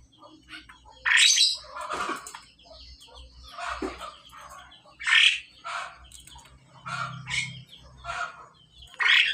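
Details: Male and female pied myna during pairing, calling in turn: loud harsh squawks and rasping notes with some whistled tones, bursts every one to two seconds, plus a low hum in the background.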